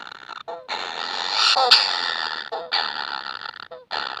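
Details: Baby kingfishers demanding food produce loud, scratchy buzzing bursts, the longest in the middle, each introduced by a brief lower tonal note.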